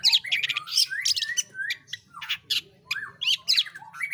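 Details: Long-tailed shrike (pentet/cendet) singing hard in roll tembak style: scratchy squawks, swooping slurred whistles and dense chirps in quick bursts, over a faint low hum.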